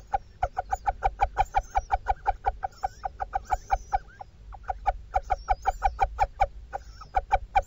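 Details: Female little owl feeding her young chicks in a Dorset nestbox, talking to them constantly: rapid harsh clucking notes, about three per second, broken by brief pauses, with faint thin squeaks above.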